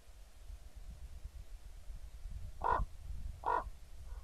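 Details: A common raven, one of a nesting pair, recorded on 28 October 2016: two deep, hoarse croaks about a second apart, with low rumbling background noise.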